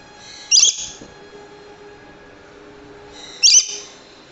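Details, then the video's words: Two loud, grating shrieks from a Swainson's lorikeet, about three seconds apart, each short and very high-pitched, with near-silence between them. "Swainson Lory Bird Call"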